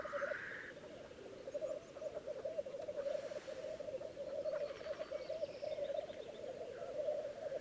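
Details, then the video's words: Spring lek of black grouse in Läänemaa, Estonia, 19 April 2011: an unbroken low, dove-like bubbling chorus, with one sharp hissing sneeze at the very beginning and faint bird calls higher up. "Tedremäng, 19. aprill 2011"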